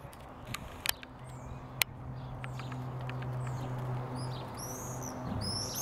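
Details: Common swifts, non-breeding 'bangers' at nest boxes under the eaves at the back of houses, 16 June: two sharp knocks early, then shrill, buzzy screams in the last two seconds over a steady low hum.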